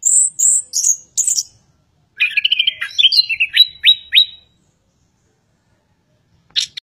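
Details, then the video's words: Chestnut-capped thrush singing vigorously: very high, sweet whistled notes, then a rapid run of twittering, slurred phrases and falling whistles, a pause of about two seconds, and a brief buzzy closing note. Quiet background. "anis kembang ocehan panas bird geokichla interpres"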